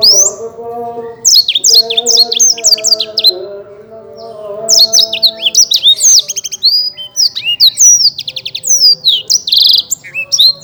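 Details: Indonesian champion Black-throated canary in vigorous song: bursts of rapid high chirps and twittering trills, a quieter lull near the middle, then a dense run of slurred whistles, over a faint low droning background.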